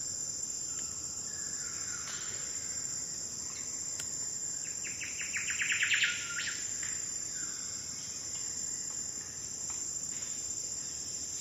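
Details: A Mangrove Whistler on the Andaman and Nicobar Islands, India, gives soft whistles, then a quick rising run of clear notes in the middle, over a steady high-pitched insect drone.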